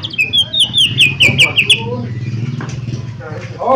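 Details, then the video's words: Actively singing mini leafbird, used to draw a response from other birds: about eight fast descending whistles in a steady run, then lower chattering notes over a constant engine-like hum. "Cucak Ijo Mini Gacor 💯 Pancingan Paling Cepat Bunyi/Respon 💯Ampuh"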